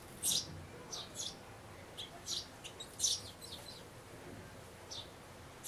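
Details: Sparrows around a nest box with a grown chick looking out, parents coaxing it to fledge, May 2012; scattered high chirps, some doubled, with quiet gaps.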